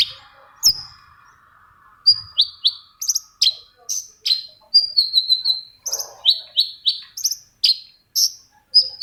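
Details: Long-tailed shrike singing, played to coax silent shrikes to sing: clean, high chirped and slurred notes in quick bursts, some drawn into short descending whistles, over a near-silent background.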